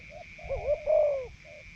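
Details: Captive Spotted Dove decoy bird, tested for cooing after leaving a breeding cage, in rural Isan, Thailand: a low, mellow coo with a soft lead-in note, a longer wavering two-part phrase, and a faint closing note over a steady high whine.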